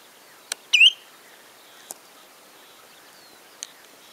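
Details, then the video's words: Spotted redshank singing at Karsiborska Kępa: one clear, sharp whistled note sweeping upward, with a few brief dry clicks against a quiet background. "brodziec śniady ,śpiew"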